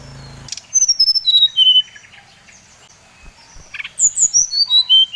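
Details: Bali brown-chested jungle flycatcher song used as a lure to provoke other birds of its kind: clear whistled notes stepping down in pitch, a pause, then a brighter high series descending again, with faint clicks between.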